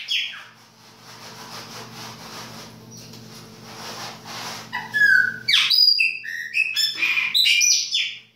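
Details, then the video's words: Winter song of a Chopi blackbird in the baianinho style, after a quiet start with soft hum, a lively series of sharp, clear whistles and quick gliding notes at changing pitches. "PÁSSARO PRETO BAIANINHO E SUAS CANTORIA DE INVERNO !"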